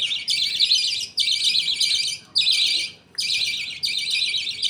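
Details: Budgie family feeding: the father feeds two baby budgies eating millets while the mother looks on. Long, grating chirpy bursts, about five, broken by brief silences.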